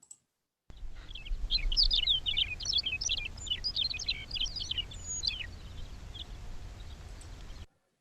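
McCown's Longspur giving a fast, tumbling twitter of high, sweet chips and slurred notes for about four seconds, over a steady low rumble.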